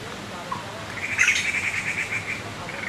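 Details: Taiwan blue magpie chicks at Qianshan Park, Yangmingshan, Taipei, beg constantly while parents forage for them, giving a harsh, raspy, sustained begging call lasting over a second with a sharper burst near its start, over faint outdoor hiss.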